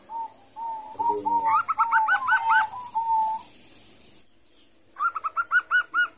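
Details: Young zebra dove, an unbathed local chick being hand-tamed, practising its call while held: soft hooting notes, then a rapid staccato run of about eight bright, clipped coos, a pause, and a second run of six.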